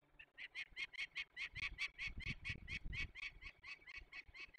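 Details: Peregrine falcon during a release of young birds, Barycz Valley, Poland, 27 May 2020: an unbroken string of grating cackling notes, evenly spaced throughout, with some low rumbling noise in the middle.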